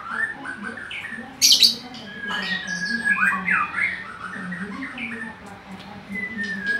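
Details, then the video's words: Oriental magpie-robin singing persistently: varied whistled phrases, sharp high squeaks and harsh chattering notes in quick succession, over a low steady hum. "burung murai ngacor dahsat"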